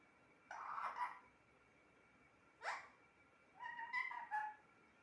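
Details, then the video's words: Pet parrot speaking in brief raspy, speech-like bursts: one rough phrase, a short sharp sound after a pause, then a two-part clearer phrase. "Talking parrot"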